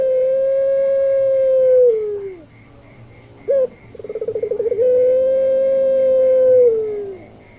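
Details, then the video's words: Lure recording of a puter pelung dove, meant to get hesitant or learning doves to answer. A long level coo drops away at its close, a short upturned note follows, then a quick throbbing roll swells into another drawn-out coo that fades downward. A faint constant high hum runs throughout. "PANCINGAN MASTERAN BURUNG PUTER"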